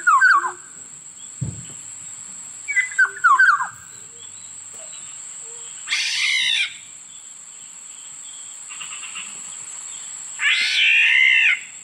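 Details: Black-naped oriole: short liquid whistled phrases at the start and again near three seconds, then two harsh, nasal, drawn-out rasping calls spaced about four seconds apart, over a steady high whine.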